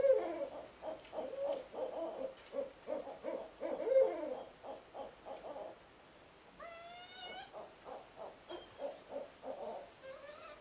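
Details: Barred owls, a male bringing a mouse to the female, who lowers her posture before he flies away; steady rhythmic low hooting notes about twice a second, and a high quavering squeal in the middle, against faint hiss.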